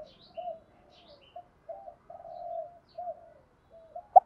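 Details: Spotted dove calls, from male and female birds, played to train wild-caught doves: quiet low coos in a broken series, with faint higher chirps from another bird.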